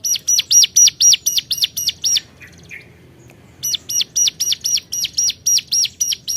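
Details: Hill prinia calling out to a rival, brisk bursts of high, sharp notes about four a second, interrupted by a pause of nearly two seconds before the series resumes.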